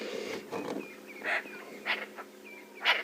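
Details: Lilac-breasted Rollers on a rainy morning safari drive, about four birds flying low and meeting other rollers in a noisy fight, give harsh, rasping squawks in short bursts about every half second to second, with faint thin whistles and low rumbling behind.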